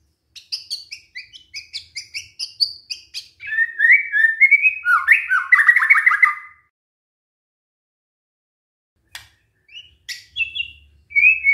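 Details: White-rumped shama lure song to prompt replies from other shamas: high repeated chipping notes, then rich whistled phrases and a rapid trilled run, followed by a long silence and a few scattered notes.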